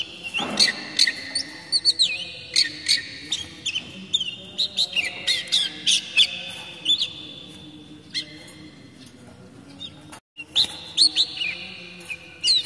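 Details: Kacer daput, an oriental magpie-robin, gives basic song used to attract young wild juveniles and to help moulting birds sing sooner: loud varied whistles, sweeping slurs and sharp chips in bursts, with a brief silent gap near the end.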